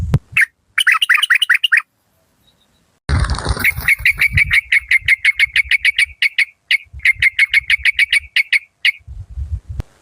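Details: Yellow-vented bulbul decoy bird, Malay strain, with a fierce voice: a short rattling burst, a pause, then a sudden noisy rustle followed by long, fast runs of even 'rik-rik' notes, with faint low thuds underneath.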